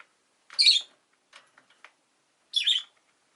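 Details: Two piercing, raspy high shrieks from a Rosy-faced lovebird about two seconds apart, with a few soft clicks and short chirps in between, otherwise quiet.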